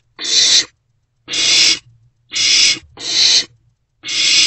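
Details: Owlet of a barn owl inside a nest box after midnight, swallowing freshly delivered prey; five rasping hiss bursts, about half a second long, with irregular pauses of up to a second between them.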